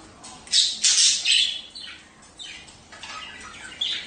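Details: Budgerigar sounds meant to encourage mating: a few loud, sharp high chirps in quick succession, then softer twittering against a hissy background.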